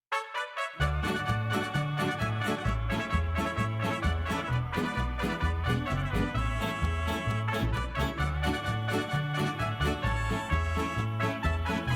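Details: Upbeat swing-style music with brass and a steady driving bass fills the whole stretch, with no animal sounds.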